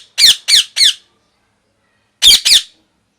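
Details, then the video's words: Loud parrot giving harsh, raspy squawks, a quick burst of three followed after a pause by two more, with silence between. "loud parrot chirping sound"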